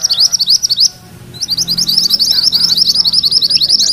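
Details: Rapid rolling song of a yellow mantenan, tutor material for magpie-robins: quick high notes, a one-second pause, then an accelerating continuous trill of sharp chips.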